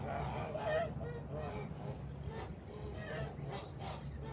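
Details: A farm group of Kholmogory geese, late March 2021, utters a few nasal honks, loudest at the beginning, then softer scattered calls over a humming low background.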